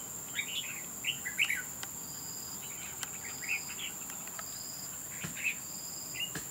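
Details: Wild Red-whiskered bulbul in a trap fight: rapid clusters of sharp, warbling chirps early on, then sparse single notes, all under a continuous high-pitched insect whine and pulsing buzz.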